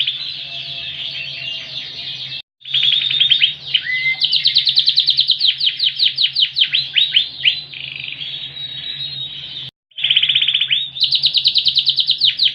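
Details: Ringed Yorkshire canary delivering a very loud, full song of fast repeated high trills and rolling chattering phrases, briefly interrupted by two silent gaps, over a constant low electrical hum.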